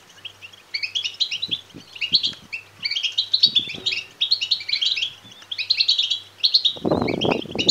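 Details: Goldfinch chicks (European goldfinch) calling for food: bursts of high, squeaky chirping in runs separated by short pauses, a faint low hum, and a loud rustling noise near the end.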